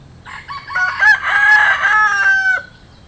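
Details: Close, loud rooster crow: a full cock-a-doodle-doo over about two seconds, starting with short rising notes, swelling into a long strained harmonic note and ending in a drawn-out tail, with a clean quiet background.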